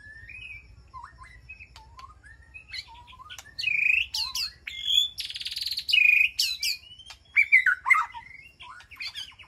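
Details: White-rumped shama in a safe, peaceful aviary, calling to its flock: soft scattered whistles building into loud buzzy notes, sharp high upslurs, clear sustained whistles and a warbled phrase, then fading.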